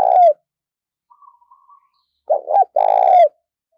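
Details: Decoy spotted dove, a four-note caller being trained for luring wild birds. The tail of one coo opens the recording, followed by a faint soft murmur and then a full phrase: two quick notes and a drawn-out throaty coo.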